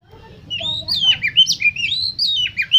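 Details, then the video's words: Oriental magpie-robin song used as a lure to stir competition birds into singing: loud whistled phrases sliding up and down, rich and varied, with a faint low rumble beneath. "Pancingan Untuk Kacer Lomba Agar Cepat ON Dan Gacor Konslet Di Gantangan"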